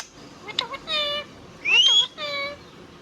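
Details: Indian ringneck parrot speaking in steady nasal syllables, with short clipped sounds and a thin rising whistle between drawn-out word-like notes.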